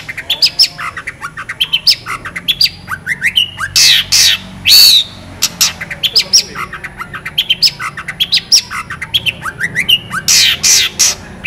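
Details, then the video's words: Long-tailed shrike song rich in mimicry with sharp, clear, drawn-out shooting notes: a continuous medley of quick rising and falling whistles, chirps and chatter, punctuated every few seconds by loud harsh rasping bursts. "CENDET GACOR FULL ISIAN ASLI SULTAN LAGU MEWAH TEMBAKAN TAJAM PANJANG JERNIH"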